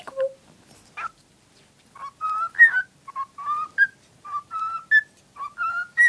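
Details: Female cockatiel, infatuated with a cuddly toy as always, whistles a repeated tune of short, clear notes stepping upward in small runs roughly every second, with no other sounds around.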